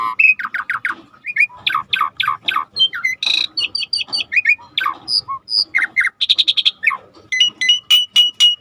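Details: Starling in full, lively song for bird training: a dense, continuous medley of buzzy trills, sharp chirps, harsh rasps and high whistles, delivered rapidly with almost no gaps.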